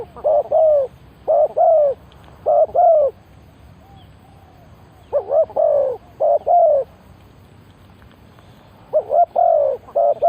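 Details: Decoy spotted dove used to attract wild doves, cooing in bursts: three or four mellow, low coos per group, the groups separated by pauses of about two seconds, with quiet background rumble.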